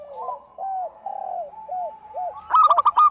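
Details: Active local zebra dove: a series of soft, arched cooing notes, each rising and falling, ending in a quick burst of sharp, stuttered clicks and coos.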